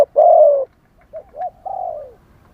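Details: Spotted dove lure bird singing to attract wild doves, wild-style song: one strong long coo, then two faint brief notes and a softer, drawn-out falling coo.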